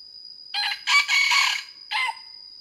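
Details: Wild red junglefowl in Vietnam, a hen calling to the rooster: one brief rasping note, a drawn-out hoarse phrase, a pause, then a short closing note, all against a constant thin electronic tone.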